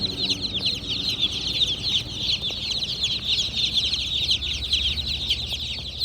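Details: Baby chicks chirping together: a dense, continuous chorus of high, thin overlapping peeps with no pauses, and a faint low hum underneath.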